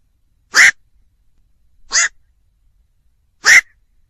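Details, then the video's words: Black-crowned night heron giving three harsh, croaking 'kwok' calls about one and a half seconds apart. Each is short and barking, with a hoarse, nasal tone. The background is otherwise silent. "tiếng vac"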